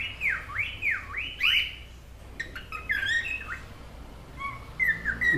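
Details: A pair of four-month-old young cockatiels, being trained to sing by listening to a video, sing a string of clear whistled notes that swoop up and down, then quicker chirpy phrases and a few short rising whistles. Cockatiel.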